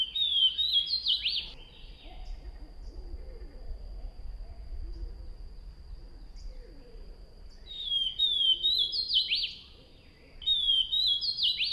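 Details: Swainson's thrush song in the wild: an upward-spiralling phrase of breezy whistled notes, a pause of several seconds with faint background sounds, then two more rising fluted phrases, all over a steady thin high whine.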